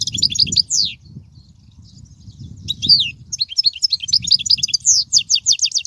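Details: European goldfinch song for tutoring young goldfinches: bright tinkling twitter with sweeping chirps, a short pause, then quickening phrases of high, evenly spaced notes repeated in rapid rhythmic series, low background murmur.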